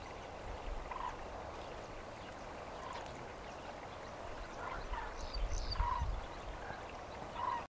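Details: Migrating cranes in the Valley of Springs, Israel, heard at a distance. They give short, rolling bugled notes every second or two, with a few higher squeaky calls, over a steady low rumble of wind.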